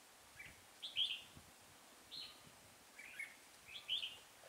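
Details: On a chilly 12-degree trapping day, 24 November 2017, a red-whiskered bulbul decoy gives soft whistled chirps in short bursts roughly every second, set against faint constant background noise.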